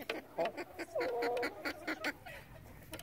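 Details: Relaxed chicken flock with soft, rapid clucks and a drawn-out, level murmuring call near the middle, short pulses spaced irregularly through three seconds.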